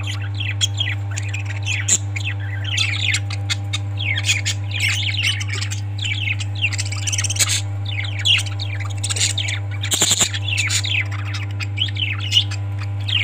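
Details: Parrots squawking and chirping almost nonstop, a dense flurry of harsh, overlapping calls that rise and fall throughout, over a steady low electrical hum.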